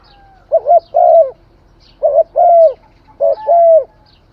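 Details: Khmer spotted dove cooing song: three phrases of a quick broken two-part note and then a drawn-out mellow coo that sags at the end, spaced roughly one and a half seconds apart, with a quiet low background drone.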